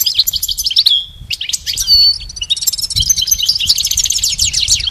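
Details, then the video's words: Pet goldfinch song used in training: continuous rapid twittering with tinkling notes, a held whistle, then a long buzzy trilled passage, faint rumble beneath. "Teaching the goldfinch the art of song-advanced lessons in best chirps"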